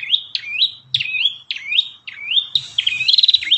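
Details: Ashy tailorbird in full song: a rapid series of sharp upslurred whistles repeated about every half second, then a dense buzzing trill. The bird is loud and clear with no other sounds.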